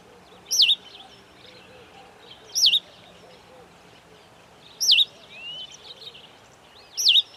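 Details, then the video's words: Cape sparrow in Africa giving four bright, twisting, quick high-pitched chirps about two seconds apart, over faint background birdsong. "Cape Sparrow"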